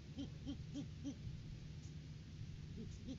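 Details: Great horned owls at the nest tree in courting season, January 2023, live cam: a quick string of soft, short hoots over a steady low rumble of background noise.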